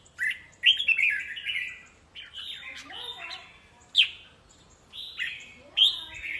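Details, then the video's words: Three red-whiskered bulbuls in a singing contest trade bright, chirpy warbled phrases in short bursts about every second, with a lower swooping note in between. "bộ 3 chào mào đấu đá"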